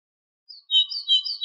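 An Ortolan bunting gives a brief burst of clear, high, ringing whistles, a few bright notes packed into about one second, with a faint steady tone beneath.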